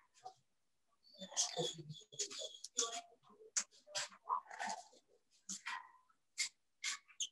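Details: A pair of parrots at a bird safehouse trades vocalizations that seem to contain English words; a busy run of scratchy, speech-like syllables and sharp high chirps, quiet and indoors.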